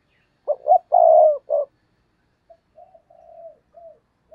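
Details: Spotted dove decoy luring wild doves with one strong coo phrase: two quick notes, a long buzzy coo, a short final note. A trail of four soft, gentle coos follows.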